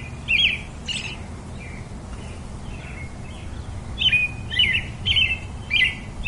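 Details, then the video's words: Robin giving sharp chirps that slur down into a short whistle, loud at the start, fading to faint notes in the middle, then returning strongly in a quick run of four at the end. "Very versatile melody of the pretty Robin bird"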